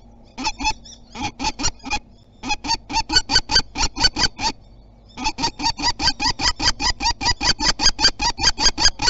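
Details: A common kestrel at Théding, France, defends its territory on 27 April 2021, giving strident, rasping kee-kee calls in rapid bursts of several notes, with two short breaks before a long, even series at about two and a half notes per second.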